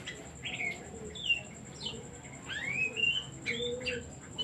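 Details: Oriental magpie-robin song used as a decoy to provoke other birds: varied whistled notes, several rising and falling sweeps, spaced irregularly over quiet background cooing and a constant high-pitched hum.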